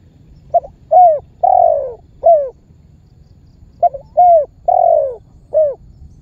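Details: Spotted dove calling (memanggil), a lure call said to set other birds calling and help trappers draw birds in. Two matching phrases: a clipped opening note, a short coo, one long drawn-out falling coo, then a shorter closing coo.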